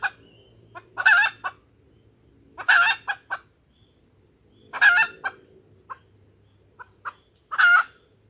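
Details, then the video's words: Junglefowl hen lure call used to attract males and trigger crowing: four harsh clucks, each followed by a short clipped note, with scattered soft clicks between and a low hum in the background. "suara pikat ayam hutan betina"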